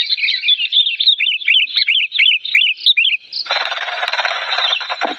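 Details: An old, agitated sooty-headed bulbul pours out rapid bubbly whistled phrases for three seconds, loud and clear, before a rough hissing noise takes over.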